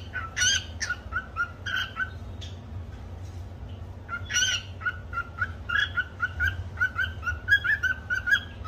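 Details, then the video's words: Pet cockatiel singing a learned tune: phrases of clear whistled notes with bright harmonics, a rhythmic melodic run, a pause, then more whistled phrases, over a low constant background hum. "singing Cookie Song"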